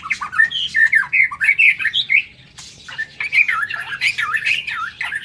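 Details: Captive white-rumped shama in an aviary on a morning, giving rapid, rather harsh warbled phrases with squeaky, wavering notes, a short pause, then another busy, scratchy burst.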